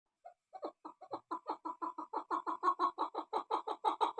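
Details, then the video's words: Female chukar partridge calling: a rapid series of throaty clucking notes, about three per second, starting softly and building into a steady, loud chuck-chuck-chuck chant. "keklik sesi chakor"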